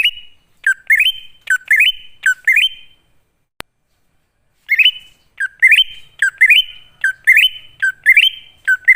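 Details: Greater green leafbird song used as a lure to draw wild birds into answering: loud whistled phrases that drop then climb stepwise and hold a level note, repeated about every 0.7 seconds, with a pause midway broken by a click.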